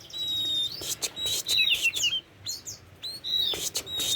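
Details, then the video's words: Loud, varied song of a tame Oriental magpie-robin: long level whistles, sharp upswept notes and scratchy clicks, with short pauses between phrases. "Burung Kacer Jinak"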